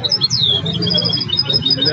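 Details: Goldfinch hybrid singing in a style said to copy the songs of Belghith, Jnan El Hsira and Si El Fahm; quick high, sharp chirps and short slurred whistles run together over a steady low hum.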